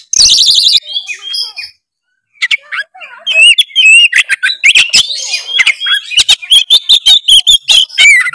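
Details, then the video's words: Oriental magpie-robin singing to challenge an opponent, used to make a lazy bird sing at once; a harsh buzzy burst, a pause, then quick repeated clicks and wavering whistled phrases building steadily. "suara kacer gacor cari lawan pancingan kacer malas bunyi seketika gacor"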